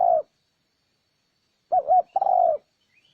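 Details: Lure call of a spotted dove for drawing wild doves: the tail of one coo, a silence, then a wavering two-part coo leading into a long, mellow, gently descending coo.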